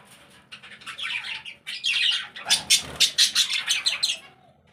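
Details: Budgerigars kept in a breeding setup alongside cockatiels, lovebirds and finches: rapid high warbling rising into a run of sharp, evenly spaced squawky notes, about a dozen in two seconds, then fading.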